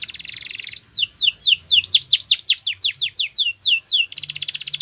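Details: Russian canary singing a training song, opening with a fast rattling trill, then a series of loud downward-sweeping whistled notes about four per second, ending in another dense rolling trill.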